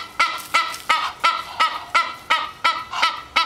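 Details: Morning honking from a female Egyptian goose waiting at the back door for food: strident, evenly spaced honks in a quick, steady rhythm.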